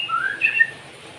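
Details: White-rumped shama, 'nembak cigun' song: a short phrase of smooth whistled notes, with one higher note gliding into a lower one and a soft hiss behind them.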